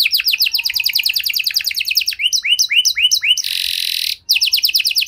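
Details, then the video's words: Canary singing a special cengkok style for prompting silent canaries: a quick trill of falling notes, slower rising sweeps, a harsh buzzy burst, a brief gap, then the trill resumes. "Kenari Gacor Durasi Panjang Cengkok Istimewa! Efektif Buat Memancing Kenari Macet Biar Gacor Kembali"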